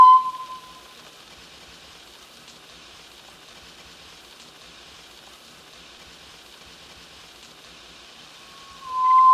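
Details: Near silence framed by a short electronic beep at the start and another at the end, with only faint background hiss between.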